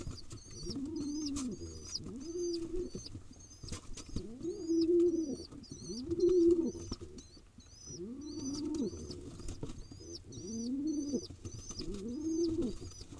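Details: Baby pigeon, wild in Israel, being fed by a parent: a steady run of high squeaky begging notes about every half second, with rising-falling low cooing swells recurring throughout.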